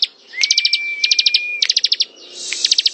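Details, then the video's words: Rapid high chipping in ngebren style from a bar-winged prinia, opening with a long, level, thin whistle under the notes, then two more quick runs after a hissing pause. "Suara ciblek ngebren"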